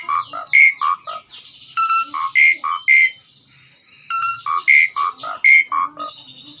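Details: Master recording of a lively 'gacor' Asian pied starling: two bursts of short rhythmic whistled and husky notes separated by a quieter pause with a thin sustained whistle.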